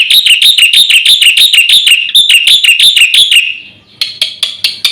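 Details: Black-winged myna master recording for provoking birds: steady rapid high chirping about three notes per second, a brief fade, then sharp scattered clicks.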